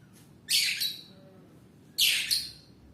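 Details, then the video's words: Oriental magpie-robin in full song: two loud, harsh, scratchy phrases with a thin whistle inside each, about one and a half seconds apart, over low background noise. "BURUNG KACER KETIKA SUDAH ON"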